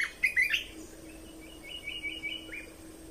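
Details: Red-whiskered bulbul, song for training young birds and exciting birds: a loud cluster of rich, slurred whistles, then a softer series of four or five evenly spaced, level whistled notes.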